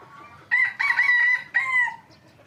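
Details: A hybrid Indian junglefowl crows loudly and clearly: a brief lead-in note, then a sustained ringing middle phrase and a falling final syllable, lasting about one and a half seconds against a quiet background.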